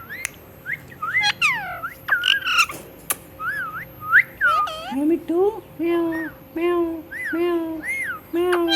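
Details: Talking pet parrot, said to be saying "Mitthu Mitthu", alternates arched whistles with a series of low, harmonic, speech-like syllables repeated roughly every half second, with a loud click early on.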